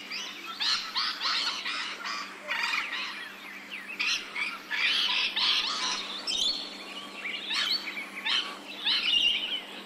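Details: Rainbow lorikeets, Australian birds, calling in a dense chorus of harsh, screechy bursts packed closely together, strongest around two to four seconds and again near six seconds, with several birds overlapping throughout.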